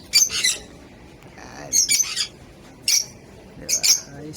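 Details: African lovebirds in a colony uttering sharp, high shrill squawks in short bursts roughly every second or so, with quieter gaps between calls.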